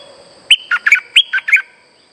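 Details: Streak-eared bulbul lure song for trapping birds: a quick phrase of about six bright, slurred chirps, each dropping in pitch, over a steady high electronic whine.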